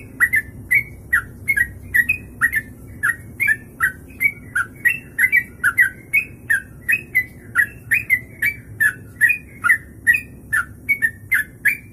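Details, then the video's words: Sooty-headed bulbul performing the long 'kongslet ropelan' song, good for tutoring birds: steady rapid whistled notes, each a short rising or falling slur, over constant low rumbling background noise. "Trucuk Kongslet Ropelan Panjang, bisa buat masteran"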